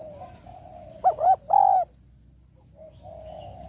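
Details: Hen spotted dove calling to excite a male, 'hạp bổi' style with calling, urging and cooing: one loud, bright three-note coo phrase framed by soft, low murmuring coos and steady low rumble.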